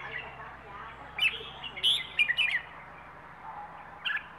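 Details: Wild bird of Rayong in the plai ho song style, giving a few clear chirps and a short twittering cluster midway, then a last note near the end, with faint low background sounds.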